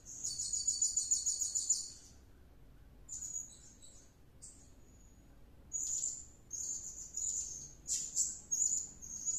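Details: Serindit, or blue-crowned hanging parrot, in full gacor song after luring: a rapid buzzy chatter of high squeaks for two seconds, a silence, then a series of thin sharp whistled notes.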